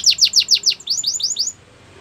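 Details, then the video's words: A singing canary, training song: a short run of about nine clear downward-sweeping whistles, evenly spaced and slowly fading, then quiet. "The best canary sounds!! Canary training song"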